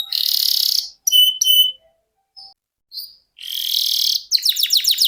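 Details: Canary performing long 'ngerol' rolling song for tutoring contest songbirds: harsh buzzy trills broken by short whistles and brief silences, ending with a burst of quick repeated sweeping notes.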